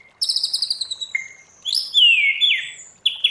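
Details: White-rumped shama singing wild-style song: a high buzzy pulsed trill, a short clear whistle, then a loud long slurred whistle gliding downward.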